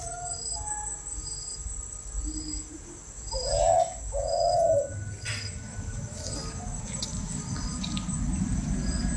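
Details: Spotted dove of the golden-necklace type, kept by a breeder, giving two low hoarse coos in quick succession midway, set against a steady background hiss and low rumble.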